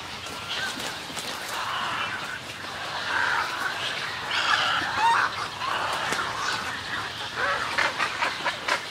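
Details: Close recording in a snowy egret colony: a chorus of coarse, throaty squabbling calls rises in loudness midway, with harsh overlapping croaks from several birds throughout.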